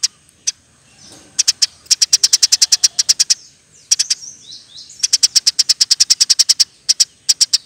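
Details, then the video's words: Eurasian tree sparrow in fast, continuous song for teaching other birds: scattered sharp chirps building into long, even runs of high notes, with faint soft twitters between them. "Burung gereja gacor nembak rapet full alasan"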